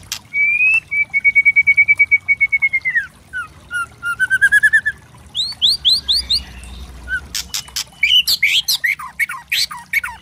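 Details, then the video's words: Loud crackling song of a white-rumped shama, played to provoke birds: a long level trilled whistle, rising trills, rapid repeated high chips and harsh snapping bursts, delivered in quick, energetic, varied phrases. "Pancingan murai trotol memancing emosi bunyi gacor variasi kretekan keras murai trotol | bird sing"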